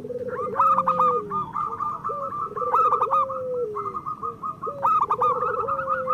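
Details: Local zebra dove song from a group of birds, meant as a master recording for lazy singers. A rolling low trill climbs into a steady drawn tone, with bursts of rapid higher coos about every two seconds.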